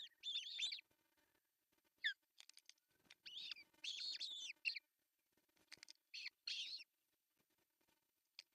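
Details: Osprey calling at its artificial nest in Pohjois Satakunta, Finland, on June 10, 2024, while the male delivers a large fish for breakfast: piercing, strained whistled cries in bursts of two or three, separated by silent gaps and light clicks.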